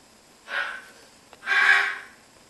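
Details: Palm cockatoo at Prague Zoo, in October, giving two harsh, raspy calls about a second apart, the second louder and longer, against a quiet background.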